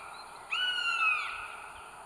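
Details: Single drawn-out, slightly falling wail from a northern goshawk mother at her three-egg nest, North Estonia, 30 April 2022, nest camera recording, with soft steady hiss.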